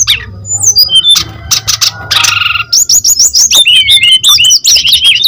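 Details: Brown-chested jungle flycatcher in energetic full song, used as a lure and master recording for young birds: rapid high whistled notes, buzzy bursts and sharp descending slurs that run almost without pause.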